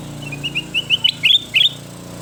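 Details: Ruby-throated bulbul training song: soft whistled notes building into louder, clipped, liquid chirps, over a low engine-like hum.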